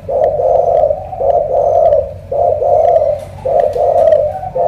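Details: Thổ cọp spotted dove from Cà Mau with a strong, pigeon-like voice: mellow, low, throaty coos run together in long rolling phrases, with gentle pauses and faint tapping in the background.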